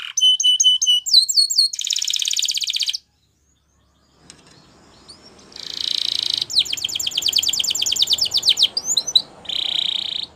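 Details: Canary training song opening with clipped, evenly spaced whistles and a buzzy roll. After a silent gap comes a loud, dense trill of quick falling notes, then crisp chirps and a final buzzing phrase.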